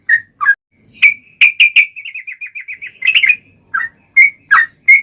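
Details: Yellow-vented bulbul song in the long-trill style, used to lure other bulbuls into answering: a few chirps, a rapid rolling run of even beaded notes, then more scattered bright chirps.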